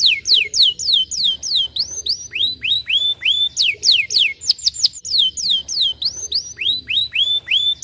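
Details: Canary singing to stimulate reluctant canaries, a continuous flow of loud, clear whistles: descending sweeps and rising upturned slurs in alternating runs, repeated about three per second with brief pauses.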